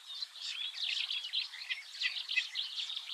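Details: Eurasian reed warbler heard early one morning in the Oostvaardersplassen, Netherlands, giving a quieter, more distant chattering song of jumbled scratchy notes over a noticeable hiss of background sound.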